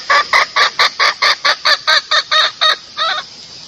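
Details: Lure call of a female red junglefowl, used to bring males near: a quick string of about twelve harsh, nasal clucks, evenly spaced, the last one slightly drawn out and softer.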